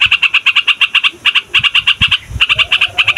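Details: Yellow-vented bulbul chattering loudly as a trapping lure: quick bright notes in short clusters, with low thumps beneath.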